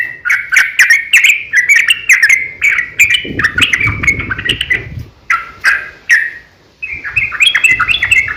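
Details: Sooty-headed bulbul fighting song, a long ropel used to lure other bulbuls into singing. Dense chirping runs for several seconds, then breaks into scattered notes with a short silence before the twittering starts again. Soft low rumbling sounds in the middle.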